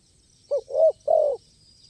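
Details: Spotted dove at a bird-luring site where crisp-voiced birds dominate, giving three low hollow coos, a short note followed by two longer drawn-out ones, against a quiet background.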